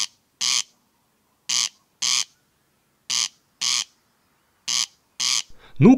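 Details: Corncrake calling at night from tall meadow grass gives its dry, rasping double crake, two harsh notes about half a second apart, repeated every second and a half, followed by a brief rustle.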